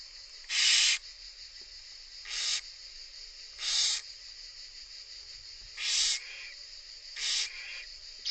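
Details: Barn owl chicks being fed by their mother at the nest, giving harsh broadband hissing snores in bursts of about half a second, repeated roughly every one to two seconds over a steady background hiss.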